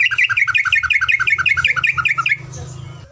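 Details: Yellow-vented bulbul in a long rapid trill for tutoring caged birds, roughly a dozen loud, evenly spaced chirping double notes over two seconds, ending abruptly with faint hum after.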